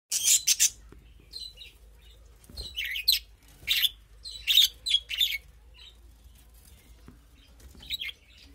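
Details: Kept birds in a small colony chirping: bursts of high, squeaky chirps and twitters in clusters separated by short quiet gaps.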